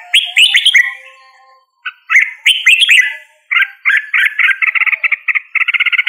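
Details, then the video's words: Red-whiskered bulbul singing: short, liquid, swooping whistled phrases. A fast run of rapid chattering notes follows. "Red whiskered Bulbul Singing Call Sound"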